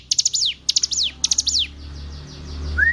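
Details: Hill prinia singing, a recording meant to teach captive songbirds: three rapid high phrases of clicks ending in falling whistles, then fainter echoing phrases over a low hum, and a short rising whistle at the close.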